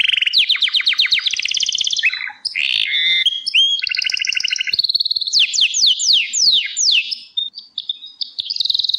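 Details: Song of a Gloster canary, with a string of rapid trills shifting between pitches, sweeping downslurred notes repeated about twice a second, and a steady high whistled tour at the end.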